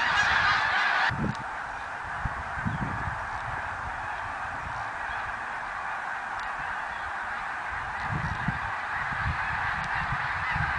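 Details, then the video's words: A 2014 recording of massed snow geese: a brief louder burst of honking at the start, then a continuous, slightly softer roar of countless overlapping calls with low thuds. "Snow Geese song & dance 2014"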